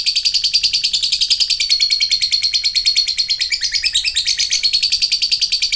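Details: Sustained high chattering trill from a lovebird in ngekek style, rapid buzzy notes in a dense, even stream without any pause.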